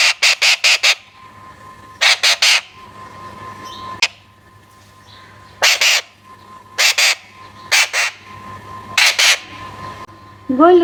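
A young Alexandrine parakeet gives harsh, raspy squawks in quick bursts of three or four, every second or two, over a steady low hum.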